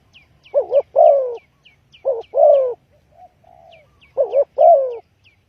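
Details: Spotted dove calling as a trapping lure: paired coo phrases, a short double-humped croo followed by a longer falling coo, repeated three times, with a faint soft coo between and a run of thin high downslurred chirps from a small bird.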